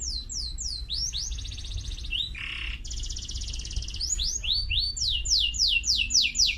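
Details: Canary song mixing fast down-slurred whistles with two sustained buzzy trills and a short low rattle. It ends in a lively run of bright repeated sweeping notes over a soft background hum.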